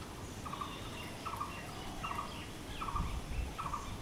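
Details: Blue-throated barbet giving its call, five even, hollow-sounding notes at a steady pace, spaced a little under a second apart, with faint background hiss.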